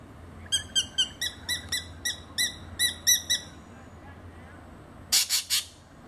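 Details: Spangled drongo mimicking a number of other birds' calls: a run of about nine ringing, harmonic notes spaced roughly a third of a second apart, then a pause and three harsh, rasping bursts in quick succession.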